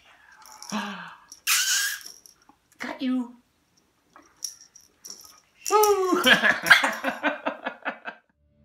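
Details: Severe macaw visiting indoors: people talk and say bye-bye, then the bird gives a two-second burst of harsh, raspy squawks, rapidly repeated and rich in overtones.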